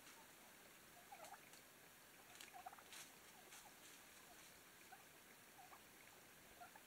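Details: Wild turkeys in Coronado National Forest give soft, short clucks and purrs scattered through the clip, with faint rustling and a steady high hiss behind them.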